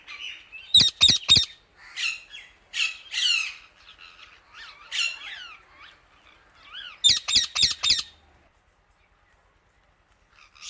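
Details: Indian ringneck parakeet calling loudly to other birds: sharp, harsh squawks in quick bursts of three or four, then softer warbling chatter and short rising notes, with a quiet pause near the end.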